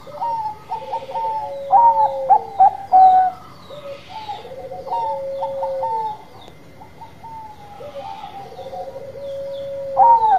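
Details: Several Bangkok-type zebra doves singing together, layered coos: purring trilled phrases dropping slightly in pitch repeat every few seconds among bright short coo notes.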